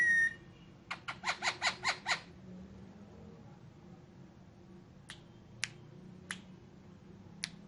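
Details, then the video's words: Pet ringneck parrot indoors, a tight run of seven harsh, rasping squawks over about one second, followed by a few soft isolated clicks against a low room hum. "Green Mitthu The Ringneck Parrot Talking In Urdu/Hindi"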